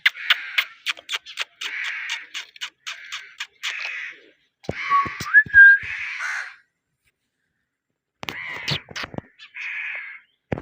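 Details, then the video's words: Parrot making a rapid run of dry clicks mixed with raspy notes, followed by a longer grating call with a clear rising whistle, a pause, then more clicks and a final rough note. "Ye mithu parrot talking cute mithu🦜❤ parrot natural sound"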